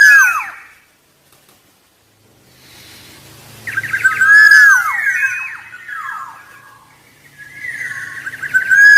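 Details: Black-naped oriole (Oriolus chinensis) giving rich, fluty whistles with downward slurs and a few harsher notes, in three bursts separated by short pauses.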